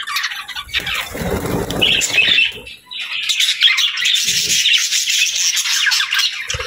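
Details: Several budgies chirp in a busy stream of high twittering and squeaky notes, interrupted early on by low rustling and thumping, then resuming as steady overlapping chatter.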